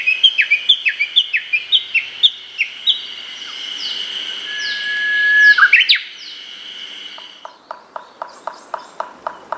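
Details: Japanese bush warbler in an early-summer forest in Hokkaido, Japan: a quick run of dropping valley-crossing notes leads into a long, swelling whistle and an abrupt flourish of song, followed by a string of short, sharp ticking notes.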